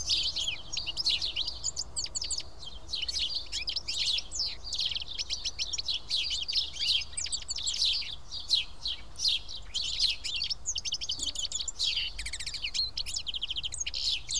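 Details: Continuous busy chirping comes from house sparrows eating as a flock at Karyotissa, Greece; many birds call at once in quick, overlapping bursts across the whole stretch, with faint low rumble beneath.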